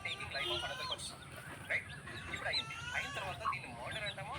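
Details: Chicks and chickens on a rooster farm giving many short, thin, upward-sweeping peeps that overlap in a busy chorus, with a low background rumble.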